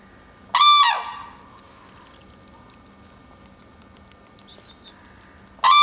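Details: Red-crowned crane parents at the Akan International Crane Center, 9 December 2022, calling to declare territory while their chick feeds; two short, loud, harmonic trumpeting bursts, one near the start and one at the end, with quiet in between.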